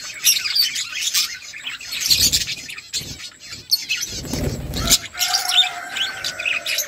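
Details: Budgerigars in a flock chatter while eating, their high chirps and squeaky notes scattered over a steady background, with a few louder bursts and a low thudding sound partway through.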